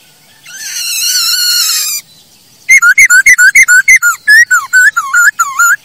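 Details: Song of a masked laughingthrush used as a lure and teaching model: a sustained harsh rasping note lasting over a second, then a fast run of about eighteen loud varied whistled notes.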